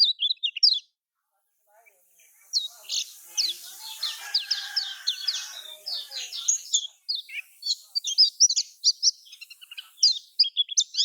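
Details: Lure song of the lemon-bellied white-eye from Lombok, used to coax silent caged birds: a few sharp high chirps, a short gap, then a long busy stream of quick thin twittering notes over a faint hiss.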